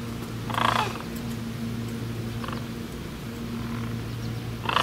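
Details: Sandhill crane calls: a rolling, rattly burst early, a faint one midway and another starting at the very end, over a steady humming drone.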